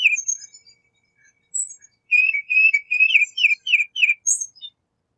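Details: Tufted titmouse song: a run of about eight rapid, whistled down-slurred notes repeated steadily, preceded by a few thin high calls and ending with a sharp high note.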